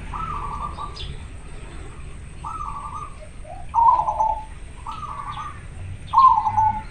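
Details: Zebra dove, a local bird in breeding condition, singing: rapid rolling coos near one kilohertz in short bursts, repeated about every one and a half seconds, with a steady faint high hiss.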